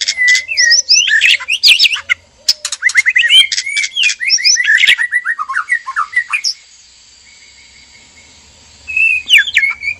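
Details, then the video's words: White-rumped shama male and female in a breeding cage, singing in mating display; a dense, energetic jumble of whistles, chips and harsh notes for six seconds, a pause, then a short whistled phrase. "PANCINGAN BIRAHI KAWIN MURAI BATU JANTAN DAN MURAI BATU BETINA DIKANDANG PENANGKARAN"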